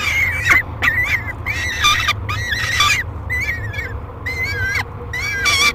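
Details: Aggressive, noisy peregrine falcon at a nest box feeding, July 2021: hoarse screeches with wobbling pitch, short and long mixed, repeated around twice a second, faint background hum.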